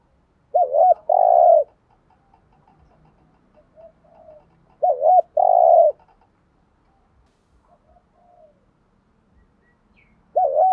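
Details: Spotted dove kept as a decoy, cooing in thúc gù style to draw wild doves: mellow phrases of a short doubled note followed by a longer coo, repeated roughly every four to five seconds, with faint soft notes between and little background noise.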